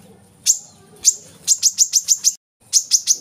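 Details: Brown-throated sunbird lure song for captive birds: a few isolated sharp, high chips, then a quick series of six evenly spaced chirps, a short gap, and three more.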